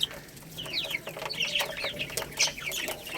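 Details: Baby chicks eating rice: quieter, rapid downslurred peeps from several birds, with scattered sharp pecking taps and a faint background hum.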